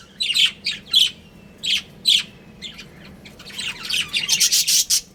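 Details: Pet budgerigars, a breeding pair, chattering: short loud scratchy chirps in pairs with gaps between, then a fast run of rapid rasping notes building toward the end.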